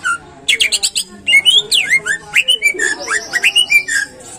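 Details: Greater green leafbird in full song, meant as a lure to get caged birds singing eagerly: rapid varied whistles, sweeping up-and-down slurs and chattering notes delivered almost without pause.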